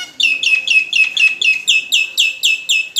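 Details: Caged Nias hill myna singing as a lure for other songbirds: a steady series of about eleven sharp, bright chirped notes, roughly four a second, loud and clear against a quiet background.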